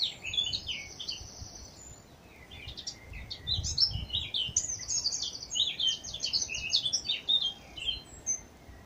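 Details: Two Eurasian blackcaps, one close behind and one just over the other side, sing loud, scratchy warbling phrases that run on almost without stopping, high and rapid, with some low rumble underneath.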